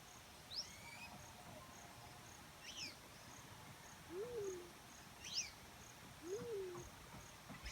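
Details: Black-chinned fruit dove calling twice, about two seconds apart, each a low, mellow note rising then falling away, while other birds give thin high chirps and short downward-sweeping notes throughout.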